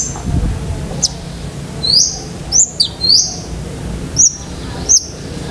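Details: Long-tailed shrike, 'gacor isian' song used to train pet shrikes: scattered thin, high upward-sweeping whistles, single or paired, with quiet gaps between and faint low hum.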